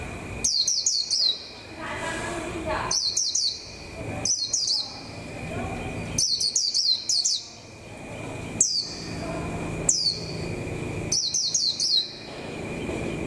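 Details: ['White-eye kept as a decoy bird and coming into form before the 2021 season. Repeated bursts of bright, very high, descending whistled notes every one to two seconds, with a steady electrical-like hum underneath.']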